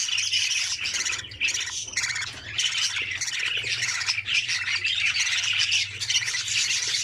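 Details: Budgerigar chicks in an opened nest, being fed and feeding one another. A dense, continuous chorus of raspy, buzzing begging squawks barely pauses for seven seconds.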